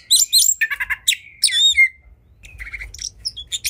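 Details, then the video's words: Oriental magpie-robin in fighting mood giving loud harsh chattering bursts and a falling whistled slur, then softer scratchy notes. "Kacer Gacor Tarung Emosi Tinggi! Buat Kacer Lain Langsung Ikut Emosi Auto Buka Ekor"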